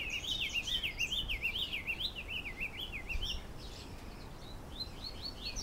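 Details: Diademed tanager singing its galloping-style song, called canto galopeado, in Canoas, Rio Grande do Sul. Quick wavering warbled notes rise and fall in a rolling run for about three seconds, then softer scattered phrases follow over a steady low rumble.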